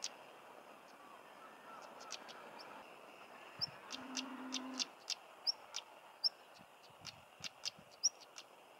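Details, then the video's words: Stonechat recorded in Cornwall, England, giving a series of hard stone-tapping clicks that grow more frequent after a quiet start, mixed with short high piping whistles; a low droning tone is heard briefly in the middle. "Stonechat Bird Chirping and Singing"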